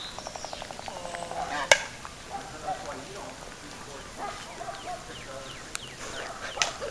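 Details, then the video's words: Laysan albatross calling, a series of nasal, harmonic, slightly wavering notes opening the recording, followed by softer scattered calls and occasional sharp clicks. "SOUND OF A LAYSAN ALBATROSS 🔊 What does a laysan albatross sound"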